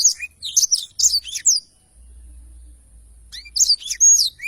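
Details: Blackthroat in lively long-rolling song for bird training: quick bursts of high, slurred whistles and chirps, a pause of about a second and a half, then the rapid phrases resume.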